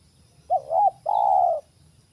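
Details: Single clean phrase from a wild spotted dove near a trap: a short wavering double note sliding into one smooth, hoarse, sustained coo, with little background sound.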